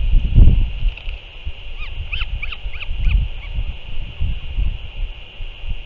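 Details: Northern royal albatross on 6 April 2024, a parent back at the nest feeding its chick; about half a dozen rapid, clipped, up-and-down notes in a tight string, heard through strong low wind gusts and steady hiss.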